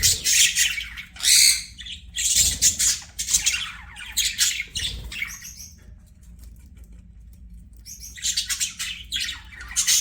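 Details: Pet budgerigar gives bursts of harsh, high chattering, falls quiet for about two seconds midway, then resumes its squeaky twitter.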